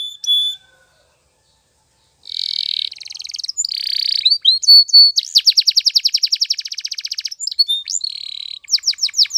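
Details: Spanish Timbrado canary singing, a song meant for training canaries: a short note, a silent gap, then buzzy rolls, sharp whistles and a long rapid pulsing trill ending in falling sweeps.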